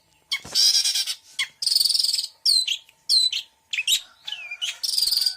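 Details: Full mixed 'isian' song by a long-tailed shrike, with loud grating buzzy phrases broken by curving whistled slurs and clipped chirps, delivered in uneven bursts.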